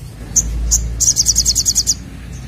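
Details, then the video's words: Ashy drongo singing to prompt other birds to sing: two short high notes, then a rapid run of about nine sharp, high, evenly spaced notes over a faint low background rumble. "SOGOKONTONG Gacor Nemb4k l Untuk Pancing Bunyi"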